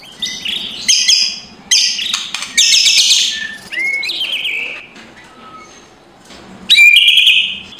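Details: Morning song of a white-rumped shama, used to stir a reluctant bird into singing. Bursts of harsh crackling chatter alternate with clear upslurred whistles, separated by short quiet gaps.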